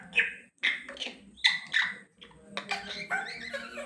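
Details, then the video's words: African grey parrot talking: bursts of sharp, speech-like syllables and squeaky whistled notes in uneven groups, with a person speaking Malayalam and prompting it to repeat a word. "African grey parrot talking time"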